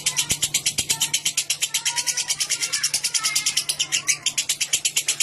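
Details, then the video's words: Long ngekek chatter of a lovebird, used to prompt other lovebirds to sing long: a dense, rapid series of harsh scratchy pulses, held at an even pace the whole time, with faint clicks beneath. "Suara Burung Lovebird Ngekek Jernih Pancingan Buat Lovebird Ngekek Panjang"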